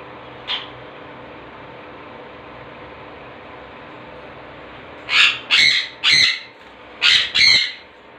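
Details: Conures, blue and green-cheeked, with one faint early squawk, a long pause, then a run of five loud raspy squawks in quick succession against a constant background hum.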